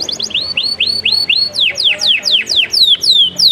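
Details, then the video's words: Canary song made of rapidly repeated bright whistled notes, first upturned hooks in a steady series, then quicker downward-slurred sweeps and long falling whistles, clear and loud with little background. "Relaxing melodious bird sounds"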